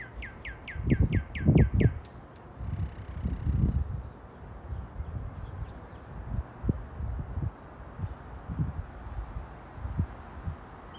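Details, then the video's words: A male northern cardinal singing in the early morning gives a quick run of about eight clear, down-slurred whistles, then a brief buzz, with a steady high insect drone over low rumbling wind. "Northern Cardinal Mating Call"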